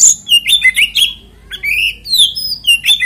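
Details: Loud, rich song of an oriental magpie-robin, played as a lure to provoke other magpie-robins to sing: fast, tumbling whistles and slurred notes with brief pauses between tight phrases.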